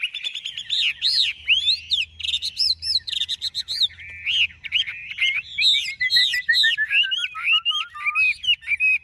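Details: A large Chinese hwamei kept in Vietnam pours out a long, varied song of loud whistled phrases, swooping up and down, growing into rapid, tumbling notes toward the end.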